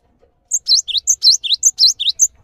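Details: A cinereous tit repeats its bright phrase three times in quick succession, a sharp high note leading into two downslurred whistles, in near silence; recorded for training other songbirds.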